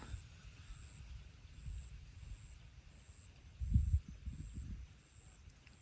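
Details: Low engine-like rumble with handling thumps, plus faint, evenly spaced high beeps; no animal voice stands out.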